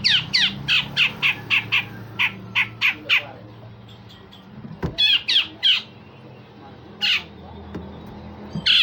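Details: Tutor grey-cheeked bulbul delivering coarse rasps and sharp shots: a rapid volley of about ten clipped, harsh notes. A short pause follows, then a tight trio of rasping bursts and scattered single notes, over a low hum.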